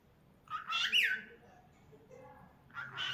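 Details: Cockatiel singing, described as a cute, adorable bird: a loud burst of bright, warbling whistled notes with a quick rising-falling sweep, a quiet pause with faint room murmur, then another whistled phrase starting near the end.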